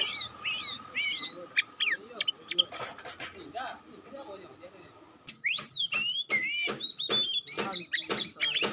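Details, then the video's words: Oriental magpie-robin of the pastol type, offered as a test for other magpie-robins: quick upswept whistles, then scattered clicks and a lull, then loud rising and wavering whistled phrases mixed with sharp chips. "Tes Kacer Anda dengan Kacer Pastol Ini. Semakin lama makin Panas"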